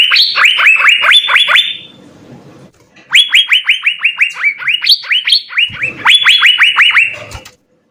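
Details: Asian fairy-bluebird song used as a master recording for training songbirds: series of loud, clear notes sliding down, repeated about three per second in two bursts, brief pause between.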